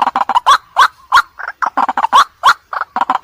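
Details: Nighttime lure recording of a white-breasted waterhen: brisk, uneven harsh croaks, with louder twanging notes at intervals of about a third of a second among quieter clucks.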